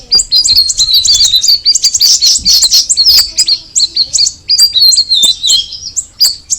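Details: High, fast chirping and twittering from a cucak rawis (straw-headed bulbul), loudest in the first half and thinning into spaced sharp notes toward the end.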